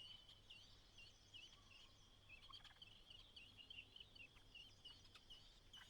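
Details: White-browed laughingthrush mother urging her single chick to leave the nest on fledging day: a busy run of short wavering chirps, nearly continuous, over a constant high whine and light background chatter.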